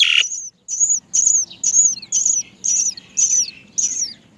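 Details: Many Great myna nestlings beg as they wait to be fed, their mother unable to find food: thin, high, slightly falling squeals repeated about twice a second with short gaps between them.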